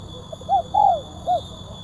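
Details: Crisp, sharp kuk 1 cooing of a spotted dove (tekukur) intended to draw doves down: a soft grace note, a short coo, a long arching coo, then a brief closing coo.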